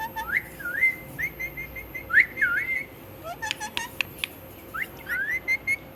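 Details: A pet parrot, said to talk and repeat "Mitthu", gives a run of quick whistled wavering notes, pauses amid a cluster of clicks, then resumes with softer whistled phrases.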